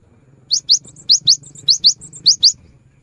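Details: Cinereous tit in full song, aimed at prompting non-singing birds: high, sharply rising whistled notes delivered in four pairs, with thin faint notes between them and a low hum underneath.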